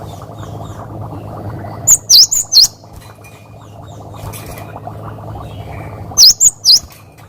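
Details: Cinereous tit (gelatik batu) singing a lively 'wucit wucit' variation used as a training recording for other birds; two bursts of about four sharp, swooping whistles, near two and six seconds, over a steady low hum.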